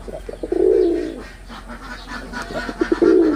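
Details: Cooing male wild pigeon, red-bordered type, Bangladesh: clipped introductory notes and a long mellow coo, a quieter gap with soft murmuring, then stuttered notes into another coo.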